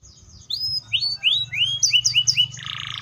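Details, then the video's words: Atlantic canary singing: a run of clear whistled notes that sweep upward, quickening into closely spaced slurred notes, then ending in a short buzzy trill. "THE SOUND OF THE CANARIA SERINUS ORIGINAL SOUND LIKE IN THE WILD"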